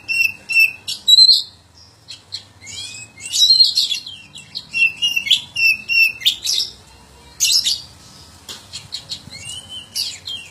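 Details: Oriental magpie-robin song in clusters of warbled whistles, sharp high clicks and long held notes, separated by short quiet gaps, in otherwise clean surroundings.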